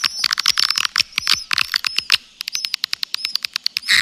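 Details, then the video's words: Swiftlet lure call: rapid rows of sharp chirping clicks with bright high notes, a dense stretch first, then evenly spaced single clicks, ending in a short burst. "Suara Panggil Triple 999"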